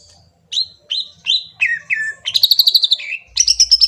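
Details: Green leafbird song used as a lure to make another bird answer: a series of clear downslurred whistles about every third of a second, then a rapid buzzy trill and a final high chattering burst.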